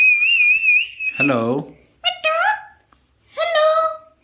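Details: Alexandrine parakeet mimicking speech: a high, steady, slightly wavering whistle, then a falling harsh syllable, followed by two nasal rising-falling calls separated by short pauses.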